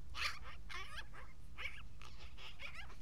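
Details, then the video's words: A talkative magpie at an Aspen day center gives rapid, harsh, buzzy chattering bursts mixed with short squeaky notes, about three or four per second, over a constant low hum. "1 talkative magpie at Aspen day center"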